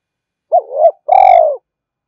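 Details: Spotted dove cooing to entice wild rivals, urging style: a quick upward note sliding into a wavering mid-pitched roll, a brief gap, then a long steady, burred coo; quiet background.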